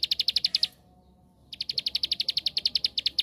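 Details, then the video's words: Bar-winged prinia in 'tembakan' song meant to provoke other prinias to sing. A quick run of sharp, high repeated notes stops abruptly, and after nearly a second of silence another even, rapid-fire series of ticking notes follows. "Suara Tembakan Ampuh Untuk Pancingan Ciblek Sawah Anda"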